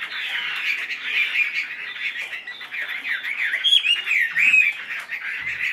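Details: Chinese hwamei kept in a cage, tamed and tail-spreading, with a busy, somewhat harsh warbled song of overlapping chattering notes and a few clearer slurred whistles near the end.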